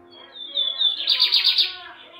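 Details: Lined seedeater whose song is described as still weak after about fifteen days, singing only a few short phrases: a thin whistled note sliding into a fast buzzy trill, with a man talking just before and after.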